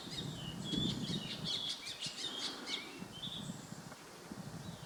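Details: Ashy drongo recorded in Uttarakhand, India, May 2016, giving a run of high whistled notes mixed with quick chirps and clicks, fading after three seconds to a lone whistle, with steady low environmental noise throughout.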